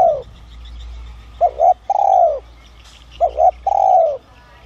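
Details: Spotted dove with the 'son' voice luring wild doves: a falling coo, then two phrases of double short coos each followed by a long descending coo, over a low steady hum and faint chirps.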